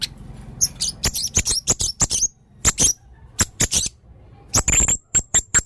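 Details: Red-throated male blue-crowned hanging parrot singing energetically: irregular bursts of very high, squeaky chirps and clicks, broken by short pauses, with a closing series of thin, whistled tseet notes.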